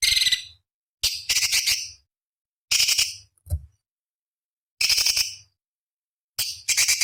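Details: Master song of a cucak cungkok bulbul, valued as sharp fill notes for competition birds: scratchy chattering phrases of one second or less, separated by pauses of one to two seconds, with a low thump midway.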